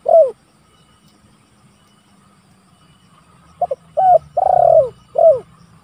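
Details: Spotted dove calling rivals, for luring and training: a falling coo, a pause, then a full phrase of short notes, a long pulsing descending coo and a final falling coo.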